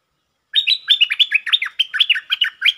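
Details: Provoked territorial Stripe-throated bulbul delivering lure song in 'sap rik' style: a continuous, rapid stream of liquid, chattering notes that jump up and down in pitch without pause, over two seconds long.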